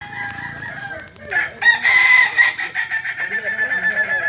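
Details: Kokok Balenggek rooster, a native chicken of Solok, West Sumatra, known for its multi-level crow of three to nineteen or more stages; a long pulsed crow runs through the second half, each segment rising and falling in quick succession.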